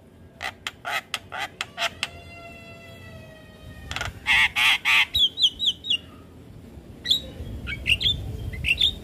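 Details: Javan myna singing to train young mynas: harsh clipped notes, a thin drawn-out whistle, loud buzzy bursts, then a run of falling whistles.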